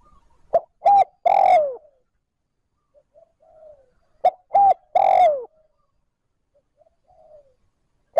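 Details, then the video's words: Spotted dove calling in 'trơn ròng' style to stimulate and lure wild doves: loud three-note phrases, two short coos then a longer falling croon, repeated about every four seconds, with soft distant coos between. "Tiếng cu gáy trơn ròng thúc gù gáy kích bổi nhanh nổi / Cu gáy gọi trơn ròng"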